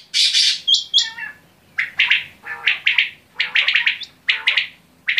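Quail giving sharp, high, raspy notes in quick bursts, clustered in twos and threes roughly every half second, with short pauses between groups.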